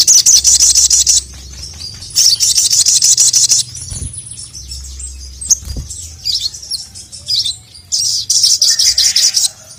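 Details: Crimson sunbird calling a male, a training recording for caged birds: long, dense, high, hissing trills alternating with pauses, with brief thin twittered notes between the buzzy runs.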